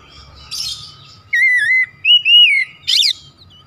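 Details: Oriental magpie-robin singing as a lure to excite rival magpie-robins, with a raspy buzz, two clear whistled phrases, one dipping and one arched, then a harsh falling buzz.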